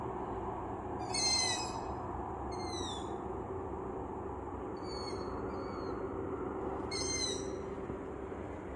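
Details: Young long-eared owls, about six or seven, in a forest near a village after sunset give high, thin, squeaky begging calls like a creaking gate, telling parents where to bring mice, four in nine seconds over a low rumble.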